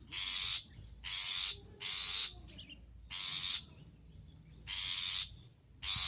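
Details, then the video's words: Long-tailed shrike luring sound: six loud, buzzy, scolding rasps at uneven intervals over a faint background hiss. "Suara untuk pikat Pentet"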